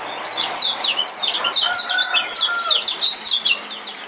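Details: Male lemon-bellied white-eye from Lombok, played as a lure to stir a silent bird into singing: a fast, continuous string of high, sharp chirps with a few lower whistled notes mixed in.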